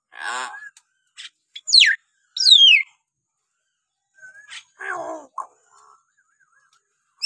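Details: Hill myna calls in a recording for prompting young, wild-caught mynas to respond: a nasal buzzy note, loud steeply descending squeals, scattered clicks, and harsh grating calls with short whistles.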